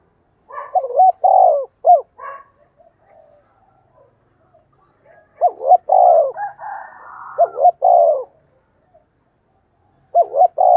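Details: Decoy spotted dove calling: rhythmic coo phrases, two quick rising notes followed by a long falling coo, given in bursts of several phrases separated by pauses of a few seconds, with faint softer murmuring between.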